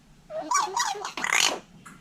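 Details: Vietnamese hill myna copying human speech: a rich, voice-like burst of about one second made of several rising and falling syllables. It ends in a harsh, breathy sound and a brief faint note.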